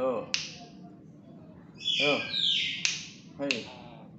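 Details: Tame, chatty black-capped lory that also talks. Short harsh shrieks and a rasping, buzzy high call mixed with low, voice-like talking syllables in a small indoor room.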